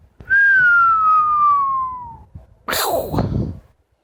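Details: ['Indoor pet Amazon parrot sustaining a loud, steady whistle that drifts gradually lower over about two seconds, then a rough, noisy screech-like burst.']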